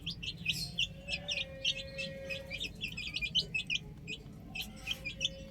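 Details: Chicks playing on a roof give a rapid stream of short, high peeping chirps, about three a second, overlapping from several birds, with a steady low hum underneath.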